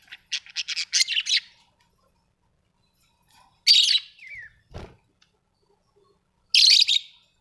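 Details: Pet budgerigars indoors: a quick series of ticking chirps building into a burst, a harsh call with a falling tail, a knock, then one more harsh chirp.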